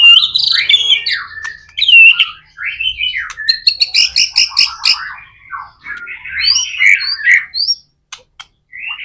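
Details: White-rumped shama in lively song, played to stimulate other shamas: dense varied whistles and chatters, a run of quick rising notes in the middle, then squeaky high phrases before it falls silent.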